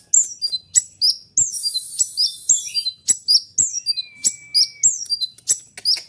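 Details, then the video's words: Magpie-robin song used as a training and lure recording for other birds and shy wild birds: fast, dense bursts of high sharp chirps, downslurred whistles and trills, with a long thin level whistle near the middle. "Full tembakan rapat konin gacor dengan speed suara kencang"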